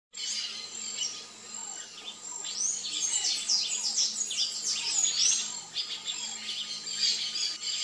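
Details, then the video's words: Variable oriole, a species without sexual dimorphism, known locally as encontro, singing: quick high chirps and sweeping whistled slurs in loose clusters, over a steady thin tone and faint background. "ENCONTRO canto (ICTERUS PYRRHOPTERUS), VARIABLE ORIOLE"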